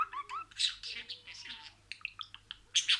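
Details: Budgerigar mimicking words: rising tonal squeaks, a run of breathy speech-like syllables, then sparse clicks and a loud final squawk.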